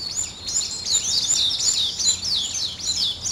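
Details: Birds at dawn repeating a clear high arched whistle, each note rising then falling, about three per second, above soft background noise.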